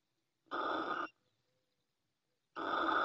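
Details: Female Little owl calling from the nest in Ávila, Spain: two harsh, breathy hissing bursts, each about half a second long, separated by silence.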